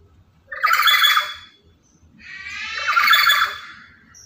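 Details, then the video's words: Noisy, loud-voiced lory, active every day and used to lure and tutor other lories, gives two long harsh rasping squawks about two seconds apart over a faint low hum. "Inilah Burung Nuri Yang Paling Cerewet Dan Lantang"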